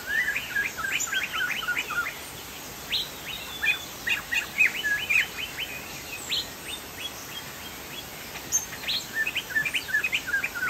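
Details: Singing Chinese hwamei, named poksay jambul sumatra, delivering dense, fast, irregular runs of bright chirps and whistled notes, pausing briefly between energetic stretches, over low constant background noise.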